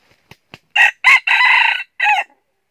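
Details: Trapping wild red junglefowl in northern Vietnam with a decoy bird: light wing flaps, then a quick harsh crow in four bursts, the third drawn out and the last falling away.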